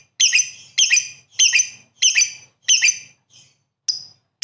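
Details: Lovebird calling vigorously: a series of sharp, high, harsh chirps about every half second, each with a grating buzzy edge, the last few notes thinner and shorter.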